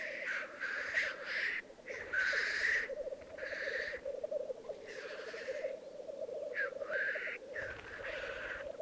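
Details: Lekking black grouse at a singing arena in the Italian Alps of Piedmont. Continuous low, rolling bubbling underlies about six harsh, breathy hissing bursts, each under a second long and spaced irregularly.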